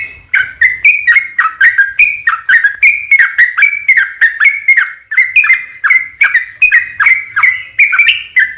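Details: Long 'ropel panjang' song from a lively Yellow-vented Bulbul (trucukan), used as a lure to draw replies from other trucukan; an even, rapid procession of warbling whistled notes, each briefly slurred down then up, continuing without pause.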